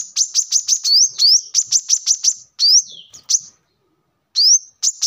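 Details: Brown-throated sunbird singing, recorded as a lure or song model: quick high chips with a few rising slurred whistles mixed in, a short pause, then another upslur and chips.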